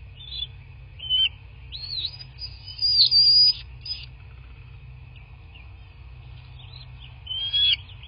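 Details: Nest-cam recording of a bald eagle calling at its nest in southwest Florida, 17 March 2024, morning. Squeaky high whistles build into a loud, piercing burst lasting about a second, followed by quiet and another short shrill call.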